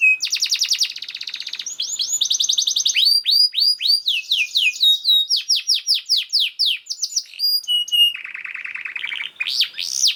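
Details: Canary song played as training material for other canaries, fast and packed: rattling trills, then long strings of crisp descending notes, a quick twittering passage and a lower buzzy roll near the end.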